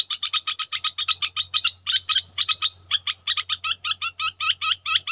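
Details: Red-whiskered bulbul kept as a decoy, chattering in fast repeated chirps. A higher, thin descending series of notes from another bird overlaps midway, over a low steady hum.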